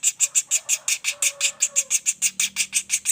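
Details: Loud, rapid sequence of shrill notes from a juvenile common flameback, repeated roughly three times per second, with a faint low hum in the background.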